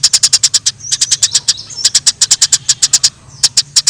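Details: Wild Eurasian tree sparrows in a fight: a nearly continuous stream of rapid, high, clear chirps, with one brief pause near the end.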